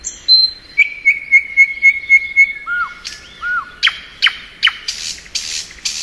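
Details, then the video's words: In spring, a thrush nightingale sings a string of pure whistled notes repeated about four times per second, then looping slurred whistles and loud sharp cracking notes. "Nightingale Song.(Luscinia)."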